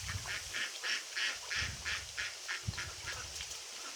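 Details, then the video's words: Pond ducks quack in a rapid, nasal series of about three calls a second, with low rumbles of wind or handling underneath. "Ducks Quacking"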